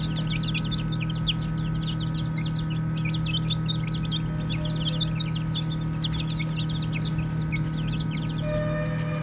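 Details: A brood of baby chicks chirping while playing: a dense, continuous chorus of soft, high, overlapping peeps over a steady low mechanical hum.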